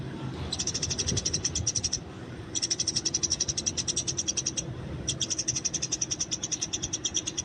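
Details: Fighting Eurasian tree sparrow in the wild, recorded for training: three sustained bursts of quick, bright, high chirps with short gaps between them, over a low background murmur.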